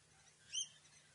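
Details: Rainbow lorikeet at a feeder in lush foliage on Tamborine Mountain, Queensland, gives a single brief, shrill, ringing note, high and slightly rising, over an otherwise quiet background.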